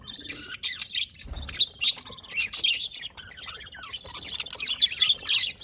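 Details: Budgerigars recorded on 27 October 2023 in Larkana, Sindh, giving a busy stream of high, scratchy chirps and warbles in short overlapping bursts, with brief quiet gaps between phrases.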